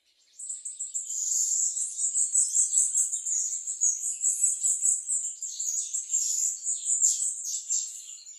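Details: Bananaquit or plumbeous seedeater in full song: a loud, sustained, very high twittering run of rapid, evenly pulsing notes lasting about eight seconds without a break.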